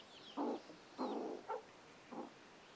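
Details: Chicken warning its chicks with four harsh, low, growling calls, each a short rasping burst spaced about half a second apart, with faint high chick peeps in the background.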